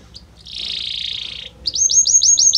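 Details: Belgian canary singing: a soft rolling trill lasting about a second, a short gap, then a bright series of quick repeated rising-and-falling high notes, roughly six in a row.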